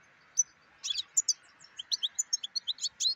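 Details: European goldfinch song: a lone sharp chirp, then a buzzy cluster and a lively series of short, high, liquid twitters repeated in quick succession, against a soft constant hum.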